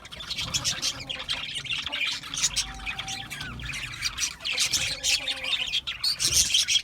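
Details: Multiple budgies give scratchy squawks and chirps in a thick overlapping chorus. A short, clear whistled note stands out near the third second.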